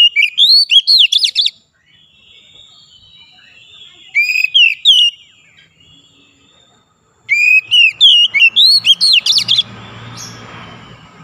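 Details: Kacer, or magpie-robin, singing in a recording meant to coax a quiet bird to sing; three bursts of clear whistled, swooping notes separated by silent gaps, ending with faint background hiss.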